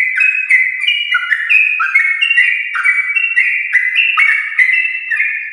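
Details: Morning song of a yellow-vented bulbul in the rapid 'ropel' style, aimed at prompting other birds to sing: a constant flow of bright, slurred whistled notes in quick succession.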